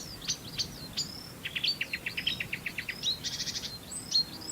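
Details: Fairly distant marsh warbler delivering a varied song of thin whistles and downslurred notes, then a quick run of short chips, a trilled burst, and more whistled slurs.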